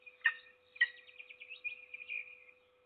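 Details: Peregrine falcon feeding a lone chick in Trzebież Forest District, Poland, on 7 May 2022. Two loud harsh notes open, then a long run of thin, high, wavering squeals, with a steady background hum.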